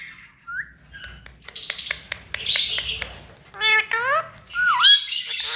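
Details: Tame pet rose-ringed parakeet making a thin rising whistle, a run of clicking ticks, then nasal rising calls and a dipping whistled squawk, over a low hum.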